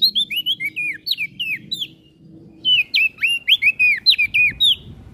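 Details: Olive-backed tailorbird in lively song, used as training material for songbirds: two bursts of sharp, rapid whistled notes dropping in pitch, separated by a brief gap.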